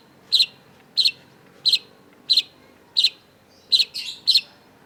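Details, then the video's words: Long-tailed shrike (cendet) calling loudly to wake up a quiet shrike: short piercing high notes repeated steadily about every 0.7 seconds, with one brief scratchy warble near the end. "cendet gacor LANGSUNG GACOR !! PANCINGAN CENDET MACET || Long-tailed Shrike"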